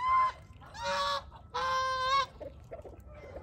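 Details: A domestic Chinese goose, kept with Muscovy ducks during mating, gives two long, loud, brassy honks, each under a second, after a shorter higher note, followed by soft scattered calls.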